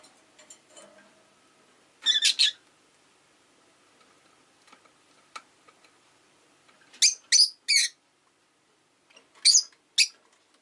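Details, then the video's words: Chirping rosy-faced lovebird on an easygoing afternoon: clusters of two or three harsh, shrill chirps come at irregular intervals over faint background clatter and rumble. "Lovebird Chirping Sounds"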